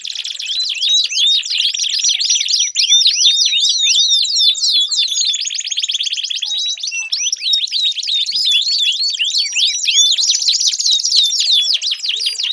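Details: Long canary song sequence intended to stimulate a silent canary: dense rolling trills, a sustained low buzzy stretch, then rapid repeated sweeping notes running on without breaks.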